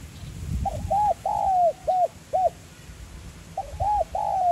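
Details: 'Giọng son' spotted dove cooing to prompt decoy birds. One full phrase of a short note, looped coos, a long falling slur and two short notes, then a second phrase begins with arched and drawn-out coos, over quiet rustling.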